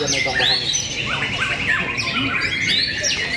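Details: White-rumped shama at a singing contest at Telaga Enterprise, Cibinong: loud clear whistled sweeps and rising, falling slurred notes, repeated in quick phrases, over a crowd's chatter and other birds singing nearby.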